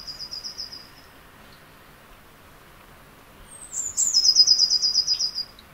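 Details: Eurasian blue tit in early April, claiming its territory near a nest hollow in a spring garden: a high trill, a pause, then a thin sliding note running into a fast, even, high trill.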